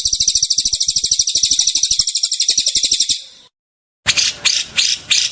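Ashy tailorbird giving a very fast, high, sizzling trill for about three seconds, then a pause and four short, buzzy, high bursts about a second apart.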